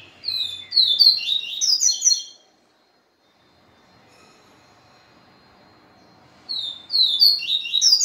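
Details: Song of a Capim seedeater excited by a day with a female: a lively two-second burst of fast, jumbled, high chirps and buzzy slurs, a pause of quiet, then another rapid chirping phrase beginning.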